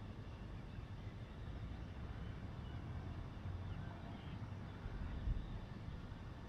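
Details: Low, steady engine-like rumble with distant background noise, and no animal calls heard.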